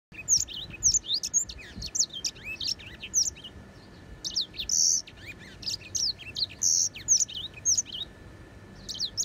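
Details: Grey singing finch (Crithagra leucopygia), song.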